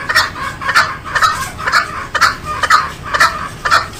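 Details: Green junglefowl uttering even, harsh, clucking bursts about twice a second, each with a short bright ringing core, over a faint steady background hiss.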